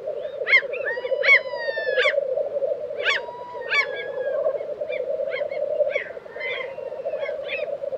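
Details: Black grouse lek in Tiveden, Sweden, April 2023. A low rolling, cooing bubbling runs unbroken beneath loud, sharp higher calls with drawn-out whistled tails, which repeat irregularly about once a second, strongest early on.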